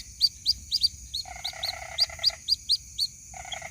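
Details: White-breasted waterhen chick calling to its mother: high, thin peeps about four per second, with a longer nasal stuttering buzz in the middle and another starting near the end.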